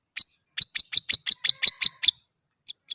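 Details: White-rumped shama giving a run of sharp, harsh clicking notes, about six per second, then a short pause and a few more.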